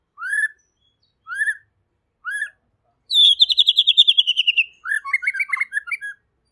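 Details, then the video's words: A White-rumped shama sings clearly and energetically, three clear, upslurred whistles, then a fast ringing trill of about fifteen notes and a varied warbled phrase, with no other sounds. "MURAI PASTOR | GACOR DAN JERNIH"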